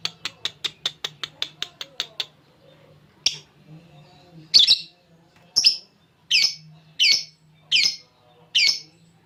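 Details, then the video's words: Champion lovebird of the ngekek style with cililin filling, recorded as a training master: a quick row of sharp ticks, a pause, then harsh high squawking notes repeated about once a second. "Love bird juara ngekek isian cililin cocok buat masteran"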